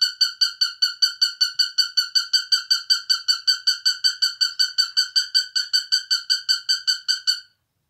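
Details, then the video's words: Pet cockatiel singing with a run of bright, ringing chirps repeated rapidly and evenly, roughly two and a half notes a second, stopping abruptly near the end, then silence; nothing else audible. "Карелла поет."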